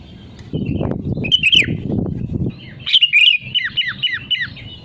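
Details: Kutilang, the sooty-headed bulbul, singing to lure other birds into song: a bubbly descending phrase, then a loud series of quick slurred whistles, with low rumbling noise in the background.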